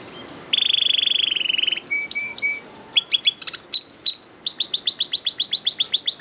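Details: Canary in a master recording for training songbirds, singing with a long roll: a buzzy trill, then paired short whistles and rapid repeated downslurred notes, a clear voice with no other sounds.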